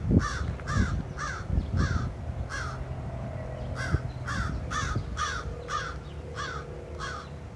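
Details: Repeated harsh caws from crows at a high school in Chatham, Ontario, June 2023: a run of four evenly spaced calls, a short break, then about eight more, over constant low traffic-like rumble.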